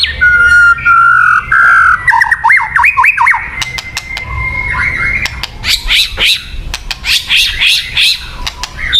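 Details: ['White-rumped shama singing, used as a lure recording: sustained clear whistles, a run of quick rising and falling notes, a long steady whistle, then harsh rapid bursts and sharp clicking notes.']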